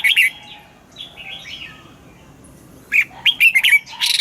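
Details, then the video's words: Morning song of a red-whiskered bulbul with wild double notes for training caged birds: a loud warbled note, soft twittering in the middle, then a fast burst of rich, bubbling whistles. "Luyện giọng cho chào mào hót sáng, ép chào mào hót âm kép già rừng hay tuyệt!"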